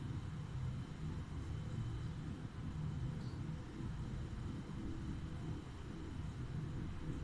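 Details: Only a low, even rumble, like distant traffic or wind, fills the recording from start to end.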